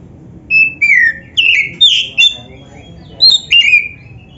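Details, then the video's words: A black-breasted Oriental magpie-robin delivers loud gacor song for training other magpie-robins: a string of strong whistled notes, some falling, some flat, with a brief pause before a final pair. "KICAUAN BURUNG KACER TERBAIK"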